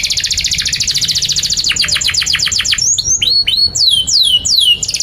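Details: Long 'gacor' canary song meant for tutoring young canaries: a fast high trill slows into spaced falling strokes, followed by clear, loud whistles that swoop steeply down, each about half a second apart.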